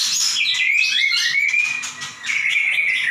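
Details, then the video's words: High, bright 'gacor nembak' phrases from a white-rumped shama: rapid trills and long, level whistles, with a short lull before the song picks up again. "Murai batu gacor nembak"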